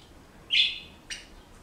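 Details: One clear whistled chirp from a pet Senegal parrot, holding steady then fading, followed about half a second later by a shorter, harsher click-like note in a quiet indoor setting.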